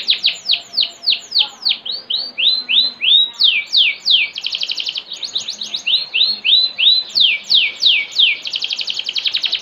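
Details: Canary (Serinus canaria), a competition songbird, sings long rolling series of bright, sweeping whistled notes and fast rattling trills.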